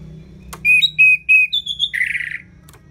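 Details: Orange-headed thrush singing in the ngeplong style, used as a tutor recording for lazy birds. Three bright, level whistled notes repeat quickly, then a higher thin whistle, ending in a harsh buzzy rasp.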